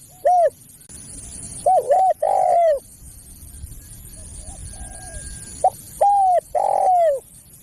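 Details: Spotted dove lure call for attracting other doves: a short coo, then a double-humped note and a long falling coo, a quiet gap with faint distant coos, then the pattern repeated.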